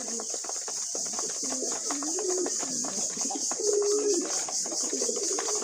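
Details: Feeding pet pigeons give a string of low, warbling coos that overlap and waver in pitch, with a bright, level note near the middle, all under a continuous high hiss and light clicking.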